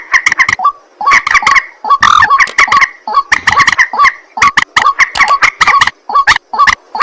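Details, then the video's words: Ruak-ruak, the white-breasted waterhen, heard at night: raspy, croaking notes poured out in irregular groups, roughly seventy per minute, with one strained, drawn-out note early on. "ruak ruak mandar batu mp3 2 suara burung malam hari"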